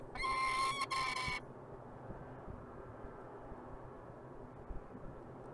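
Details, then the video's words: Peregrine falcon recorded in Montreal, Canada, uttering one drawn-out, nasal, harmonic wail with a brief break near its end, lasting just over a second, followed by quiet low background rumble. "Sokół wędrowny"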